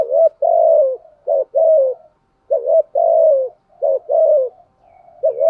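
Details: Decoy spotted dove cooing to stir up rival males; paired low coos, a brief upswept note followed by a longer falling one, repeated steadily in quick succession.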